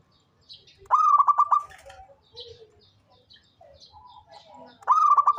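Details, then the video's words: Two bursts of staccato cooing from a lively local zebra dove used to draw other birds: each starts with an upward note and runs into a fast string of bubbling pulses, separated by quiet faint chirping. "SUARA perkutut LOKAL gacor cocok buat pancingan rajin bunyi"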